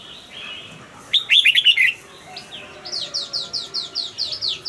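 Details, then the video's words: Caged red-whiskered bulbul singing one quick whistled phrase, followed by another bird's rapid series of about a dozen thin downslurred notes. "นกปรอดหัวจุก นกปรอดหัวจุก เสียงนกกรงหัวจุก ขวัญใจสายเบิ้ลอาชีพ ฟังแล้วคึกเหมือนเดิม นกไม่คึกห้ามฟัง"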